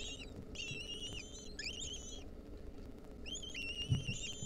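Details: Begging by wild lesser kestrel nestlings fed a mouse by their mother: loud, high wavering whines in two long bursts separated by a pause, over a rumbling low background.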